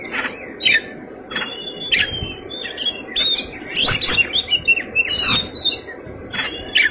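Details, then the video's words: White-rumped shama singing its fighting song: bright whistled slurs alternating with sharp harsh bursts and falling notes, irregular phrases across seven seconds, faint low noise behind. "Kacer gacor tarung isian mewah"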